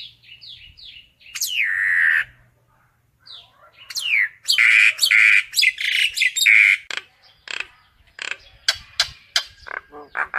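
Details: Common myna calling its flock: a run of short descending whistled notes, then a long harsh downslurred squawk, a pause, and a burst of loud grating, gurgling notes ending in scattered sharp clicks.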